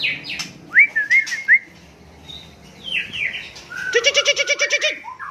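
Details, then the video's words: Murai Aceh, the white-rumped shama, recorded at Cot Goh, Bireuen, Aceh province: several quick rising whistles, a softer slurred pair, then a harsh rhythmic chattering rattle of about ten pulses, ending on a short whistle. "Murai Aceh"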